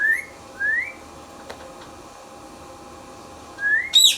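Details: Indian ringneck parrot kept as a pet, giving two short upward-sliding whistles, a pause, then another whistle and a brief harsh squawk, in a quiet room.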